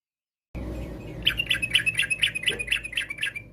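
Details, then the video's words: Yellow-vented bulbul in lively song used to make other bulbuls reply: after a moment of low hum, a regular series of about nine clear chirps, roughly three a second. "trucuk gacor, bikin trucuk lain nyaut seketika.! trucuk ropel, trucuk nggaruda, kicau trucuk fariasi"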